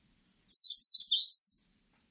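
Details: Song of an Eastern crowned warbler, two quick swooping high notes then a long buzzy ascending slur, lasting about a second, nothing else audible.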